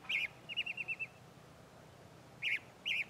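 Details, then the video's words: Chalk-browed mockingbird (sabiá do campo, papa sebo) in the Bahia sertão, Brazil, singing a scratchy phrase then a fast series of six even chirping notes, followed after a pause by two more rasping phrases. "Sabiá do Campo - Papa Sebo Cantando"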